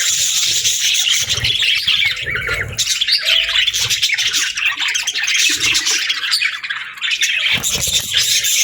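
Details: Pet budgerigars chirp and squawk together: busy, overlapping high twitters with harsher squawks mixed in, continuing without pause.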